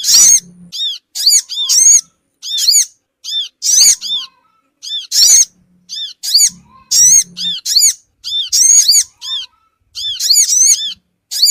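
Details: Sogon bird lure call, used to draw small wild birds together quickly: loud squeaky arched notes with stacked harmonics, delivered in short bursts of two to four at irregular gaps, with a faint low hum in places.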